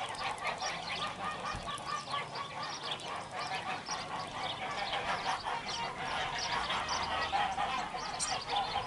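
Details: A flock of geese on a goose farm in Lök village, Yozgat, Turkey, honks continuously, many overlapping nasal, brassy calls forming a dense, unbroken chorus with no pauses.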